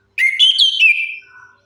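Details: Loud, tumbling phrase from a chestnut-capped thrush, offered as a lure to make non-singing birds sing: bright whistled notes climbing then stepping down, trailing off into a quiet falling whistle.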